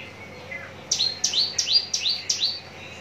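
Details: Javan bush lark, a caged bird said to be ready for song contests, from Cikupa, Tangerang: after a faint start, five loud, ringing downslurred chirps follow quickly in an even series.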